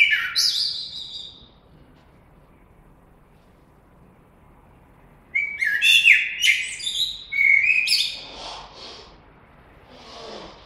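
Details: Blackbird song: a short fluted phrase, several seconds of quiet, then a longer rich warble of varied whistled notes finishing in soft high twittering.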